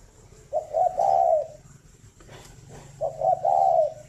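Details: Spotted dove on a breeding farm near Hanoi, Vietnam, singing in the morning: two low, hollow coo phrases about two and a half seconds apart, short lead notes then a long coo, light rustling between.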